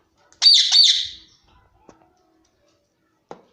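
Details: Pet Indian ringneck parakeet indoors giving two loud, harsh screeching squawks in quick succession, then falling quiet apart from a few faint clicks.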